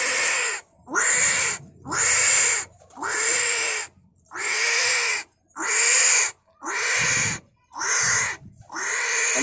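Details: Captive Greater Coucal held face to face with pigeons and calling strangely: loud, harsh, broadband screeching notes repeated roughly once a second, about nine bursts separated by short silences.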